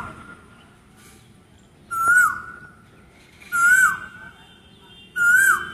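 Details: Singing Asian koel gives three ringing whistled notes, each rising then sliding down, spaced about 1.6 seconds apart against quiet background hiss and a faint low hum.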